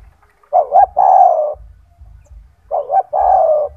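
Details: A caged spotted dove (tekukur) kept as a master bird for training other doves, with a loud, strong voice. It gives two cooing phrases, each a quick double hoot followed by a long, full, level coo, against low rumbling background noise.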